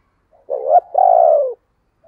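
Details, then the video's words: A spotted dove kept as a decoy coos once: a brief rising note leading into a longer, even, softly buzzing coo that sinks at the end, with silence around it. "Tiếng Chim Cu Mồi dùng Kích Bổi Hiệu Quả Mở Là Gáy"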